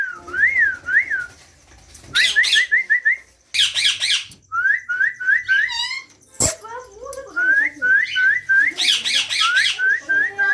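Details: Green ringneck parakeet chicks clamouring while being fed: looping rise-and-fall whistles and rapid upslurred chirps, punctuated by harsh broadband squawks and a sharp knock.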